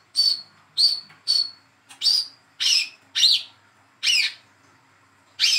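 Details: Hand-fed young olive-backed sunbird calling to stimulate a silent bird to sing: a run of eight sharp, high chirps, the first ones quick and regular, later notes rougher and more spaced.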